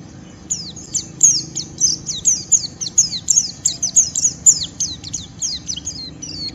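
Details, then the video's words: A white-eye sings a harsh, rapid, continuous run of high, thin descending chirps and twitters, several per second, provoking a rival to join in singing; faint low background rumble. "Pleci Ngeriwik Merangsang Lawan, Ampuh memancing Pleci omyokan Ikut Bunyi dan Gacor"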